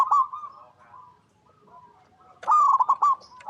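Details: A local zebra dove (Geopelia striata) in stable, active song gives soft, rolling, stuttered coos in quick bursts, with a pause between two phrases; a recording used as a lure to prompt other zebra doves to call.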